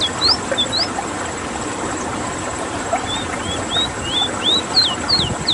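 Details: Rowti, or ruddy-breasted seedeater, from Suriname, singing its rolling song: bright whistled notes in rapid series, alternating rising and falling slurs, with a brief gap mid-phrase. A low droning background noise is present.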